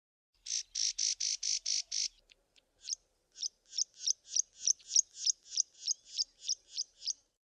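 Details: Karoo prinia in the southern Karoo, South Africa: six loud piping notes in a quick even burst, then a brief gap and a long run of about fifteen sharp, high repeated notes, roughly three per second.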